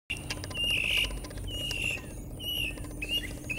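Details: Northern mockingbird singing in Americus, Georgia: clear whistled phrases near one pitch, each held briefly and spaced about a second apart, over a steady low hum.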